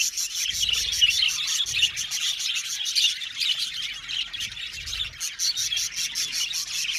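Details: Many budgies chirping in an aviary colony, described as happy: lively, dense high-pitched chatter and squeaky warbling, with bursts of rapid ticking notes and a few louder chirps near three seconds.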